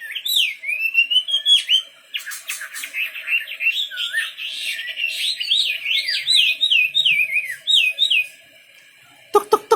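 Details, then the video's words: Lively wambi bird song of rapid whistled notes, many sliding upward or dropping sharply, in long rambling phrases with brief pauses; a loud click burst closes the passage. "Burung wambi istimewa gacor full"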